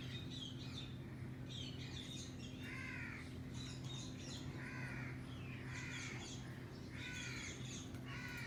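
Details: Alexandrine parakeet on a cage, sharing it with a green ringneck and playing; a run of loud, raspy screeches, about six, coming every second or so, some higher and thinner calls mixed between them, constant low background hum.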